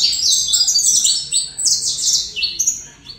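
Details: Saffron finch pours out a fast, loud series of high chirps sliding downward, Colombian-style song with barely any gaps between notes.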